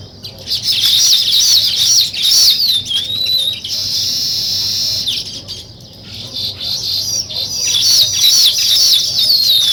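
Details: Nest-building weaver birds make high, rapid twittering with looping squeaky notes. A steady buzzy hiss takes over in the middle, and then the lively chatter swells again.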